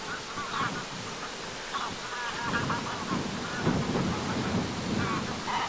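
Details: Greylag geese in flight at sunset over the shore of Lake Vänern, Sweden, on 13 August 2023: scattered nasal honks with stacked harmonics, some in quick runs, over a steady broad rushing background.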